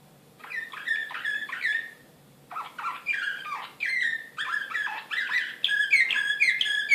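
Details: Excited canary in the Serbian nightingale song style (slavujar), recorded in Belgrade in 2016, giving a continuous rich song of repeated chirped syllables, rolling trills and bright whistled slurs, growing louder toward the end.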